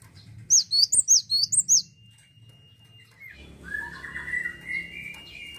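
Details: Cinereous tit singing actively: a quick run of six sharp, high, ringing notes evenly spaced about a quarter second apart, then a lower drawn-out whining tone rising and wavering over several seconds, with faint background hum.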